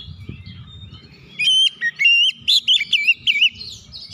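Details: A provoking song of the Oriental magpie-robin, opening after low background rumble into a run of clear, wavering whistled notes, each rising and falling in quick succession.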